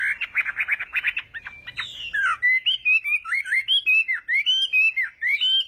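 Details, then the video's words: Chinese hwamei singing a morning fighting song for voice training: a fast run of buzzy repeated notes, then clear whistled phrases that slur up and down, given in quick rhythmic bursts. "Hoạ Mi Hót Đấu /hoạ mi hót sáng luyện giọng"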